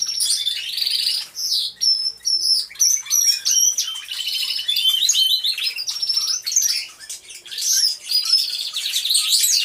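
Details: Several canaries singing together inside an aviary, recorded unedited: a dense, continuous chorus of bright high trills, rapid chirps and warbled phrases overlapping throughout, with short pauses in the flow.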